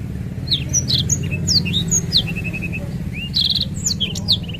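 A black-throated canary sings a fast, varied run of high sweet notes, trills and quick repeated chips, with a steady low hum underneath.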